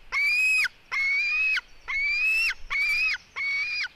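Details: White-tailed eagle eaglets, a female fighting with her brother: five loud, drawn-out squealing screams, each about half a second long, steady and slightly rising, separated by short pauses, with a quiet background.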